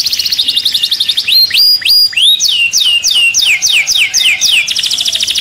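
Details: Canary singing to activate birds and encourage mating: a short buzzy trill, then bold rising and falling swoops, then a quick series of downward-slurred notes about four per second, ending in a rolling trill.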